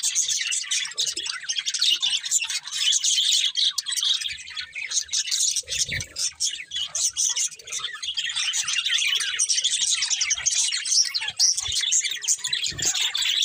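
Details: Budgies keep up a lively, unbroken chorus of sharp chirps, squeaks and warbles, with occasional low thuds and a brief lower tone near the end.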